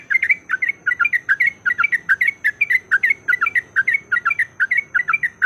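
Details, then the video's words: Lure recording of a yellow-vented bulbul in fighting song: fast, uneven bursts of bright chirpy notes, rising and falling, delivered about once a second without pause. "PANCINGAN BIKIN TRUCUKAN LANGSUNG BUNYI IKUT TARUNG GACOR"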